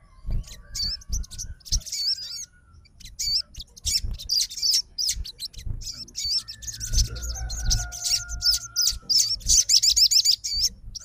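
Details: Sogon fighter responding to another sogon's song with a long, busy stream of rapid high chirps and looping whistles, and a faint steady tone in the background partway through.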